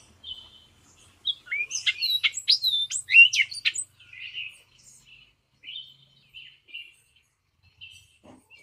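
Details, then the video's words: Hispaniolan oriole of Hispaniola, between the Dominican Republic and Haiti, giving a soft whistle, then a quick tumbling run of sharp sweeping notes, trailed by quieter spaced whistles. "O canto do Corrupião Hispaniolano"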